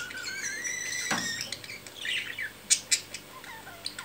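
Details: Budgerigar during mating and the courtship that follows: a rising harmonic warble in the first second, then scattered sharp clicks and short chirps.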